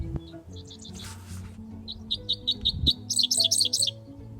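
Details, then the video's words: Dickcissel in Minnesota grassland in early June sings a run of sharp, high chips followed by rougher doubled notes, like 'see dick, dick, dick, sissel, sissel', over soft background music. "Apparently, the dickcissel says, "See Dick, Dick, Dick, Sissel, Sissel," probably from the time when Dick and Jane books were popular."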